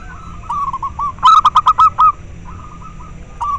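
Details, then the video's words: Local zebra dove voice, used to stimulate breeding drive in captive doves and to lure them: quick series of short rising cooing notes, with a louder staccato burst of clipped, harmonic-rich notes in the middle. Softer overlapping notes before and after. "Perkutut lokal suara ampuh untuk merangsang terapi masteran dan ahli pikat"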